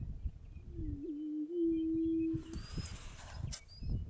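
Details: A displaying male greater prairie-chicken, dancing to attract a female, gives a low, hollow, moaning hoot of nearly two seconds, steady and slightly wavering. Faint higher whistles and rustling noise follow.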